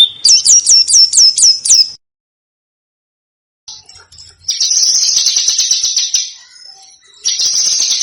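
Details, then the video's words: Small bird singing on a training master for contest cage birds: a quick series of six sharp, high, down-hooked notes, a silent gap, then long dense high trills and buzzy twitters. "Suara BURUNG KECIL !!! MASTERAN BURUNG KECIL TEMBAKAN TAJAM DAN SUPER PEDAS"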